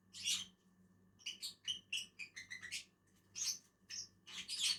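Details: Lovebirds (Agapornis), two birds feeding on a tree, chattering with a loud shrill screech then quick twittering squeaky notes and further harsh shrieks.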